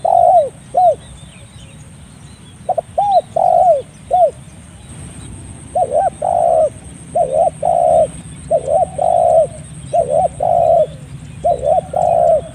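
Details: Spotted dove call for luring birds: a long run of rhythmic coo phrases, short arched notes mixed with longer drawn coos, growing more continuous toward the end, against steady hiss and a high-pitched whine.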